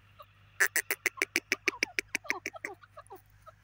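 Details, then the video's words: Grey francolin giving a single loud run of about fifteen sharp, rasping notes that speeds up and then fades, with soft bird chirps before and after. "grey partridge teetar ki awaz grey francolin voice"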